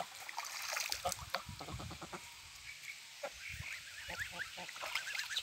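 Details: Domestic geese swimming on the Volga, giving a run of short, nasal honks in uneven bursts, some rapid and stacked, over a steady background hiss of water.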